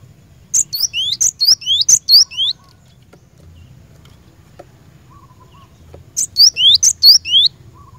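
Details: Singing cinereous tit, played to get caged birds singing: a burst of about five clear, high, two-note whistled phrases, a short gap with faint background noise, then another run of about four identical phrases.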